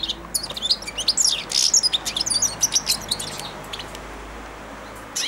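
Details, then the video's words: Young European goldfinch, four months old, practising early babbling song on the hand that feeds it daily inside the cage; dense, rambling high twitter of rapid chirps, trills and buzzy notes, pausing briefly near the end. "καρδερινούλα κελαηδάει δίπλα στο χέρι αλλά και πάνω σε αυτό!"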